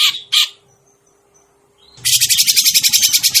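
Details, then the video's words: Grey-cheeked bulbul calls used as a trapping lure: two loud harsh squawks, a brief quiet pause, then a rasping, rapid rattling chatter with low thumping sounds beneath. "suara pikat burung cucak jenggot"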